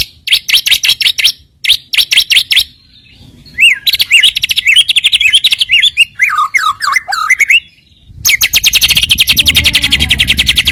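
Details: White-rumped shama song with filler phrases, used as a lure to make rival birds sing: bursts of rapid high buzzy trills, then a varied run of whistled slurred notes, ending in a long dense chattering trill with low rumble.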